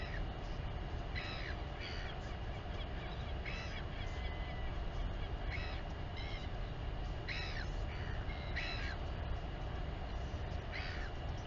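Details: Royal albatross mother and chick at a colony near Dunedin, New Zealand, on a live nest camera during feeding; brief sharp downward-sweeping calls come in loose pairs every one to two seconds against a persistent wind rumble.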